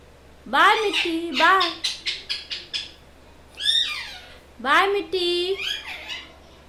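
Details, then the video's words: Pet parrot imitating words: three bursts of speech-like, richly harmonic phrases with rising and sliding tones, plus a quick run of short clipped syllables. Quiet room, low steady hum underneath. "mithu original sounds"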